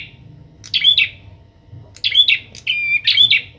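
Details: Young trained bar-winged prinia with a captive companion, uttering loud, buzzy, rattling chirp bursts, several in close succession with a brief pause midway; faint low background hum.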